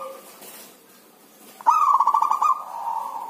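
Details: A captive zebra dove, described as singing lazily in the rainy season, gives a quick burst of soft, stuttering coos that runs into one drawn-out, low cooing note, after a quiet start.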